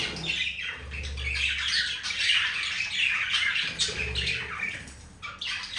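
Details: Two budgies showing affection to one another, chattering in uneven bursts of scratchy chirps and squawky notes, softer toward the end, with a low indoor hum.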